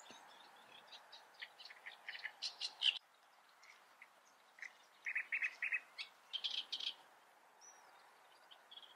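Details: Great reed warbler recorded in the field, singing in bursts of harsh, grating, repeated syllables with squeaky notes, loudest around two to three seconds and again at five to seven seconds, separated by quieter pauses.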